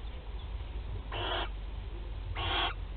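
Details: Barn owl chicks at their first feeding, Théding, France, 8 July 2020: two harsh, hissing bursts of about half a second each, roughly a second apart, over a steady low rumble.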